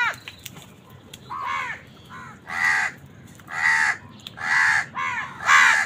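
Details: Rapid series of loud, rasping caws, roughly one per second, from crows squabbling with wild birds over food, growing stronger toward the end.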